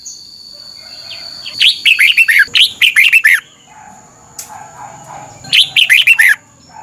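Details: Red-whiskered bulbul repeating its phrase three times, each a cheerful string of five or six warbled, looping notes, meant for caged birds to learn, with a faint steady high tone throughout.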